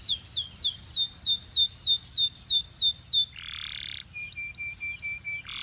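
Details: Belgian canary warming up its song: a fast series of repeated downward-sweeping whistled notes, about three per second, then a buzzy trill and a run of short, even, high piping notes.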